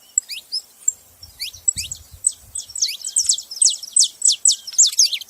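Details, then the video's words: Scattered saffron finch chirps give way to a fast run of loud, sharply falling notes. There are faint low knocks early on. "Canarinhos fazendo barulho"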